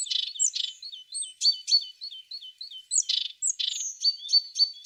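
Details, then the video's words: A tit sings a fast stream of high chirps and whistled slurs, about four notes a second, broken by brief buzzy bursts. "The sound of a tit singing"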